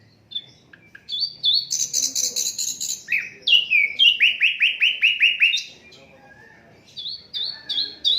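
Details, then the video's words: Unedited Asian brown flycatcher singing, used to tutor songbirds: high twittering with a buzzy trill, then a long rhythmic series of a dozen descending slurred notes, ending with short level whistles. "Sikatan londo durasi 15 menit, Reall No editan, cocok buat masteran semua burung"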